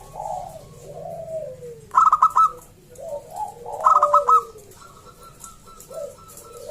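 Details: Local wild zebra dove in loud, clear song that invites other zebra doves to call: two quick bursts of four to five staccato cooing notes two seconds apart. Lower sliding coos from other doves sound around them.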